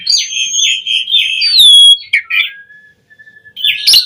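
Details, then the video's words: Asian pied starling lure song: warbling whistled phrases, a loud descending whistle, a brief chatter, a soft thin whistle and a closing squeaky burst. "Pancingan Suara Jalak Suren Gacor POWER FULL Variasi Isian Buat Masteran Burung Jalak Agar Cpt Gacor"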